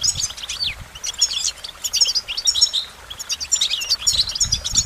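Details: Goldfinch song in repeated twittering bursts of high, liquid notes separated by brief gaps, with faint low thumps.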